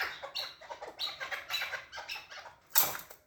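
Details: A short burst of chukar partridge calls: quick scratchy chuk notes in a pulsing series, ending in a sharp loud click.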